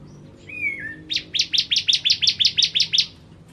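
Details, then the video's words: Bar-winged prinia, known locally as ciblek, 'kristal' type, in full song as a master recording for training cage birds: one thin descending whistle, then a rapid run of about twelve sharp, bright chips, roughly four per second. "Ciblek Kristal Gacor"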